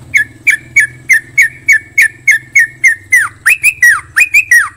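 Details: Yellow-vented Bulbul singing: regularly spaced short whistled notes, then louder swooping, down-slurred phrases toward the end. The recording is clean, with a faint low hum.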